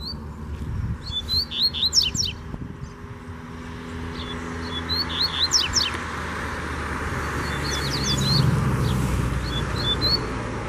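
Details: A wild, uncaged Double-collared Seedeater sings against a caged bird in short bursts of sharp high chirps and downward-sweeping whistles, spread over several seconds. Steady traffic-like rumble and hum fill the background.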